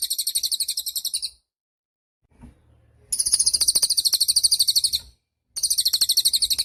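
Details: Cililin songbird song meant as a master recording for training songbirds; high buzzy trilled bursts separated by short silences, with a faint low thump in the gap.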